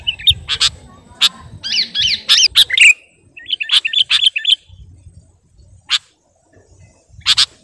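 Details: A sooty-headed bulbul sings while calling a rival, with scattered sharp chips and short runs of wavering squeaky notes, separated by brief pauses.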